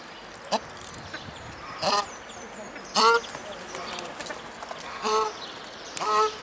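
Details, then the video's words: A pair of South African shelducks, Tadorna cana, at Vogelpark Walsrode bird park, Germany, 2015, giving five short nasal honks with rich harmonics at irregular intervals of about one to two seconds, while small birds chirp faintly behind. "South African Shelducks"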